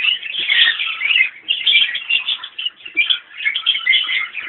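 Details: Mixed colony of Fischer's and rosy-faced lovebirds gathered at fresh water, some drinking: dense, continuous high chattering and squeaky calls from many birds overlapping, with brief wingbeats.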